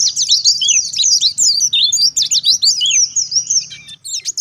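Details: Oriental white-eye singing hard in forest style to provoke answers from other white-eyes: rapid high twittering packed with sharp slurred chirps, roughly three notes a second, easing into sparser squeaks at the end.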